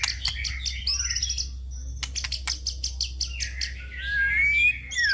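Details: White-rumped shama song used as a lure: rapid clicking notes and short high whistles, then a rising drawn-out whistle, against a noisy low hum.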